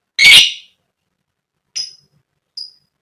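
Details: Female lovebird calling to provoke other lovebirds, one harsh loud chirp followed by two short, thinner high notes after pauses.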